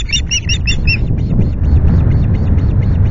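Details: Osprey at the Loch Garten nest during an afternoon fish delivery on 25 July: five loud, clipped high chirps in quick succession, then fainter echoing notes fading into rumbling wind.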